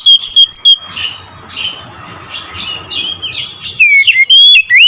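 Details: Oriental magpie-robin in nembak ngerol style: a quick run of piercing whistles, a subdued stretch of short harsh notes, then loud rising and falling whistles again at the end.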